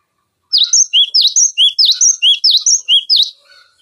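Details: Used to teach songbirds such as magpie-robins and green leafbirds, a cinereous tit sings sharp, ringing note pairs, high slurs alternating with lower whistles, steadily repeated for three seconds.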